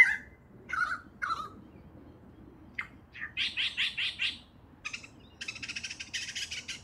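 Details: Superb lyrebird (Menura novaehollandiae) sings a varied medley: three falling whistles, a sharp crack, a quick run of five ringing notes, then harsh buzzy chatter, over a quiet background.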